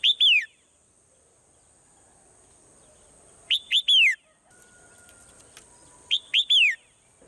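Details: Morning swallow repeating the same phrase three times, roughly every three seconds: two short chirps and a drawn-out descending whistle. A faint constant high-pitched tone persists throughout.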